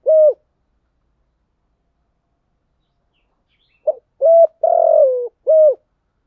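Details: Cooing of a spotted dove played as a lure for wild doves: one short low coo, a long pause of silence, then a grouped phrase of four coos, the third drawn out, rough and slowly falling.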